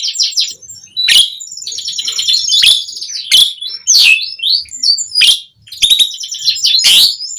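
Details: Asian pied starling singing, a lure recording for starlings: a dense, high, scratchy chatter of squeaks and trills with sharp clicking notes and a few descending whistles.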